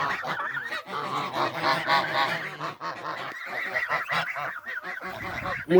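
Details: A group of geese making a racket: rapid overlapping nasal honks in bursts, some gaps, with a sharp squeak at the very end.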